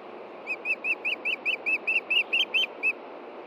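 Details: Osprey calling at a Montana nest on 23 June 2013, evening, as an adult looks for a fish the mate hid: eleven loud, whistled chirps repeated about every fifth of a second, slightly hoarse toward the end.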